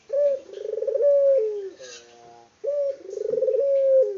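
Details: Vigorously cooing local Barbary dove, unedited: two deep purring coos, each opening with a short note, then a rolling trill and a long steady tone, separated by a brief pause.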